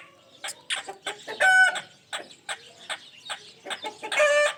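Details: Pet ringneck parrot giving a mix of sounds: short harsh chattering notes broken by two longer harmonic squawks, one near the middle and one at the end.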